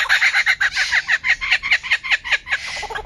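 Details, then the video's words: A bird gives rapid, varied chirps and downward-slurred notes, about two or three a second, fairly loud and busy with no other sounds. "Bird makes different sounds"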